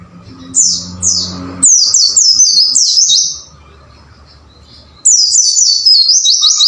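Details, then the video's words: Pleci (white-eye) training song for caged birds in the "wucit wucit" style: two separated high falling notes, then a fast string of descending chirps, a quiet gap of about two seconds, and another rapid burst. "MASTERAN BURUNG PLECI AGAR GACOR WUCIT WUCIT"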